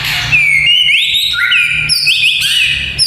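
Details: White-rumped shama song played to train young fighter males: clear high whistles that slide up and step between pitches, with short bright flourishes, over a steady low hum.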